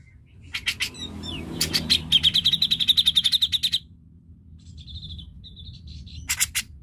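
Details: Grey-cheeked Bulbul lure recording, used to stimulate reluctant birds to sing: a fast, rattling chatter of bright notes, about five per second for two seconds, between sharp harsh bursts and thin whistles.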